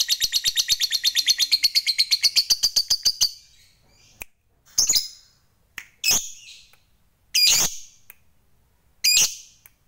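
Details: Lovebird fighter chatter used to provoke rivals: about three seconds of rapid shrill trilling that fades, then five separate harsh, scratchy squawks spaced around a second apart.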